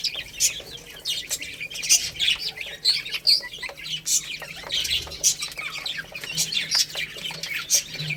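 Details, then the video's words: Chicks eating rice give a steady stream of high, thin peeps from several birds at once. Sharp taps from pecking run through the chatter. "Beautiful Chicks Chirping Sounds"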